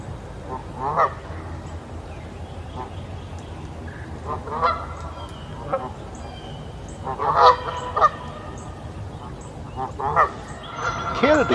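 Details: Canada geese give loud, nasal, grumpy-sounding honks in irregular bursts a few seconds apart in early spring, as ducks and geese begin looking for nest sites.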